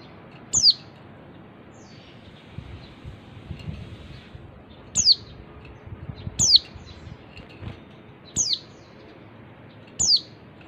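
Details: Female Oriental white-eye calling, used as a lure to make males sing: five thin, high, downslurred notes, each brief and spaced a second or more apart, over a quiet low hiss.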